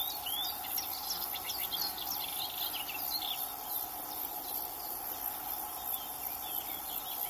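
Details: Melodious warbler delivering a hurried, varied chatter of short high notes and slurs for about three seconds, then falling quiet while insects keep up a steady high buzz.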